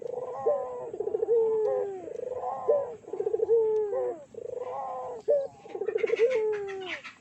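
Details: Barbary dove lure recording meant to make other doves call: loud, pulsing trilled coos ending in a falling sustained note, repeated rhythmically, with a faint hiss near the end.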